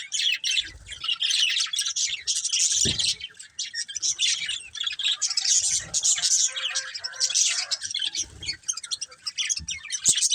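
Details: Nonstop budgerigar chatter from a colourful breeding pair, high scratchy chirps and squawky warbles running together with a few soft knocks.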